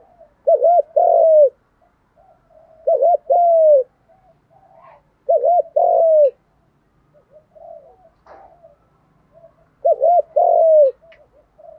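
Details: Spotted doves, male and female, giving contest-style gù đấu cooing to excite birds in training; four evenly spaced phrases of a quick doubled note and a sustained, downward-sliding coo, with quiet gaps between.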